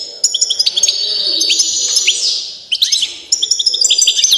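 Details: Balkan race goldfinch singing a busy run of sharp high chips, tinkling trills and a brief buzzy downslur, pausing briefly mid-phrase before resuming its twittering.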